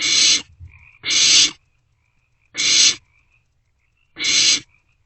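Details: Barn owlet begging inside a nest box at night, 27 March 2024, while owlets pass a meal back and forth: harsh broadband hissing screeches, each about half a second, four in five seconds, faint chittering between.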